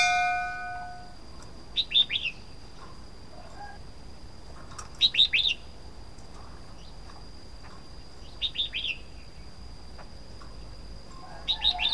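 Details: Red-whiskered bulbul singing: four short, bright, chirpy phrases of quick whistled notes, spaced three to four seconds apart, over a steady high electronic whine and low background hiss.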